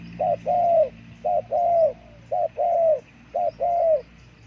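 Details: Spotted dove cooing in regular pairs, a brief coo then a longer drawn-out coo, four pairs about one second apart, against a quiet humming background.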